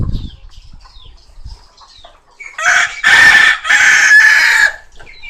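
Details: Chicken in a laying hen coop: after a quiet start with faint scattered calls, a loud, harsh, drawn-out crow breaks out in two long harmonic bursts, then fades back to soft background clucking.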